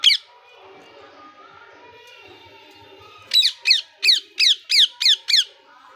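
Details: Indian ringneck parakeet, a happy pet parrot, indoors; a quiet stretch of soft warbling, then a run of seven loud, harsh, rising-falling squawks about every third of a second.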